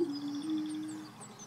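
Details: A male Greater Prairie-Chicken (Tympanuchus cupido pinnatus) on a booming field in central Wisconsin gives a low, steady, hollow moan lasting about a second, its courtship booming display, over a quiet outdoor background.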